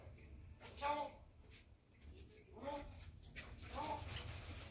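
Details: Grey parrot, a 20-month-old African red-tailed grey, speaks three short, word-like phrases with a nasal, human-like tone, about a second apart, over a low indoor hum.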